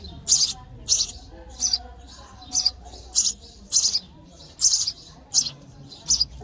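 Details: Sparrow chicks begging while fed in the nest: regular high, hissy chirps roughly every 0.6 seconds, about ten in sequence, over faint low noise.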